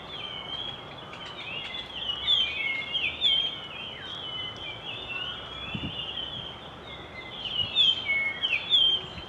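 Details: Resident Japanese grosbeaks singing, clear whistled notes sliding up and down, some overlapping, in phrases of several notes with short pauses between them, against faint low background noise.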